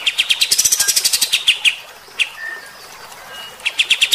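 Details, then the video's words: Harsh rapid-fire song of a kapas tembak bulbul, of the rough 'tembakan kasar' style meant to provoke fighter-type birds: a dense run of scratchy chirps, scattered single notes and a thin whistle, then the burst resumes. "AUDIO KAPAS TEMBAK GACOR MBESET TEMBAKAN KASAR. BIKIN EMOSI BURUNG TIPE FIGTER"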